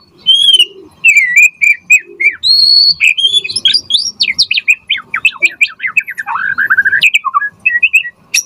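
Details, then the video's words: Chatty white-rumped shama song used as a lure to draw other birds into singing: clear high whistles, then a long fast cascade of varied upslurred and downslurred notes ending in a falling whistled phrase. "Pancingan Murai Batu Gacor Auto NYAUT cepat RESPON Buat Masteran Burung Murai Agar Gacor Full Isian"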